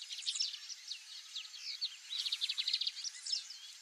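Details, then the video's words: White-browed meadowlark (Leistes superciliaris), a Brazilian grassland bird, calling with high, dry chattering bursts of rapid ticking notes mixed with thin buzzy slurs, over a soft background hiss. "WHITE-BROWED MEADOWLARK calling"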